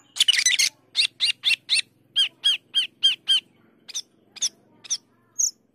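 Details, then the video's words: Asian glossy starling, called cucak keling or perling kumbang, singing with a harsh opening burst, then a regular series of short sharp notes repeated about four per second, fading to scattered chips and one high whistle. "Cucak keling gacor teler"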